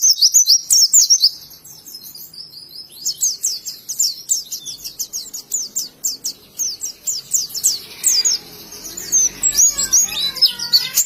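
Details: Oriental white-eye, Indonesian bird, singing ngalas style with quick high twitters, a fast run of repeated sharp notes, and looping whistles toward the close.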